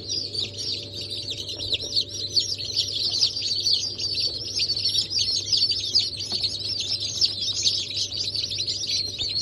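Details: Freshly hatched Brahma, Sultan, Sussex and Wyandotte chicks, 28 January 2024, produce a loud, busy chorus of short piping cheeps, densely overlapping and unbroken, with a low steady hum beneath.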